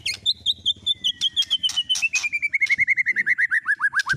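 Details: White-rumped shama singing with filler from speed cililin, canary and lovebird songs. A fast string of clipped notes steps steadily downward in pitch, with sharp clicks and a faint low rumble behind.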